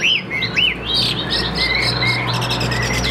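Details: Caged Chinese hwamei of the Tam Hoàng type, described as calm-natured with a good, steady voice, singing loud, rich whistled phrases of looping, rising-and-falling slurred notes in quick succession over a steady low hum.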